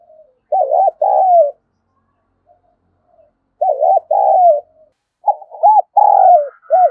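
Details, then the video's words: Spotted dove cooing to provoke fighting: two bursts of rolling, wavering coos, each ending in a drawn-out note and separated by a silent gap, then a faster final run of short notes. "Tiếng chim cu gáy thúc đấu kích bổi nghe rất nhanh về cội"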